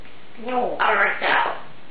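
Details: Female Congo African grey parrot showing off her vocabulary of over 350 words in an award-winning 2011 talking-parrot competition entry; a short, humanlike spoken phrase of a few syllables indoors.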